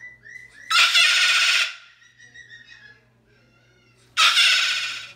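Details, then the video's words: Captive pet Moluccan cockatoo showing how loud it can get: two very loud, harsh, grating screams about a second long, a few seconds apart. Softer creaky notes come before each one. "How loud are parrots, can they get crazy loud? My Moluccan Cockatoo showing you how loud"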